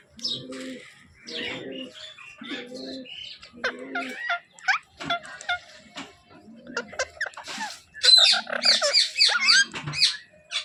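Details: Baby Alexandrine parakeet kept as a pet: mixed chirps, squeaks and raspy chatter with low pulsed notes, rising to a busier burst of shrill calls near the end.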